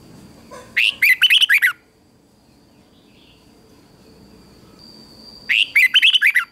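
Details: Competition song of a red-whiskered bulbul, used for training birds: two short bursts of about six quick, slurred, chirpy notes each, separated by roughly four seconds of quiet with a faint high hum.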